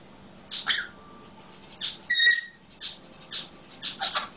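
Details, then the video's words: Captive Solomon Islands Eclectus copying a red-lored amazon's voice: a string of short scratchy chattering syllables, with one clear whistled tone held briefly in the middle, in a quiet indoor room. "SI Eclectus - sounding just like our red lored amazon"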